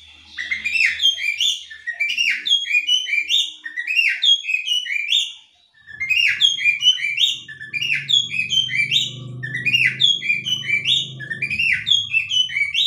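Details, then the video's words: Female Oriental magpie-robin ngobra call, meant to set off a male's calling: rapid repeated chattering, rising whistled notes in continuous bursts, a brief gap mid-way, with a low rumbling hum underneath in the second half. "kacer betina NGOBRA bikin jantan manapun langsung ikut ngobraa"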